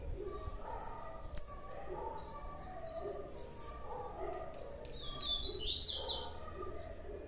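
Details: Blue-black grassquit youngster calling with quick high chirps, a sharp click, and a louder buzzy, trilling flourish toward the end, against a soft low background hum.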